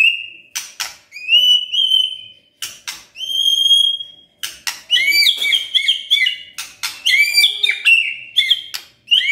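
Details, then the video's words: White-rumped shama kretekan, an emotion-rousing style: clear high whistled notes held briefly, broken by sharp clicking snaps, then a denser stretch of quick, jumping whistles. "KRETEKAN MURAI BATU pendongkrak EMOSI"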